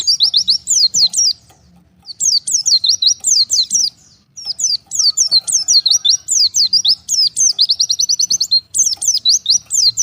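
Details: Oriental white-eye separated from its flock, calling to others, used as a lure recording: bursts of rapid, thin, high chirps, each sweeping sharply down then up, broken by short silences.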